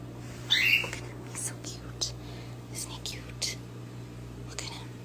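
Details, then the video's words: A pet rose-ringed parakeet, just past a painful molting stage, mimics human speech in short, raspy, whispery phrases while getting scratches, with one brief higher squeak near the start over a low electrical hum. "Talking ringneck Parrot"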